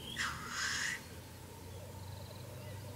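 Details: Black grouse at evening, near 9 pm, observed from a hide: one harsh, breathy hissing rush lasting under a second, then only faint low bubbling and a quiet background hum.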